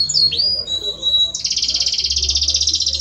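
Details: Male Belgian canary singing to his female: a few pure whistled notes and a swooping slur, then a long, fast, pulsing high trill of evenly repeated notes.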